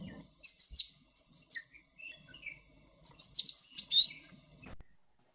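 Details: Indian (black-lored) yellow tit giving communication calls while foraging for worms and insects in trees in groups of four or five, keeping contact; high, thin whistled notes in two quick bursts, sliding phrases repeated after a pause.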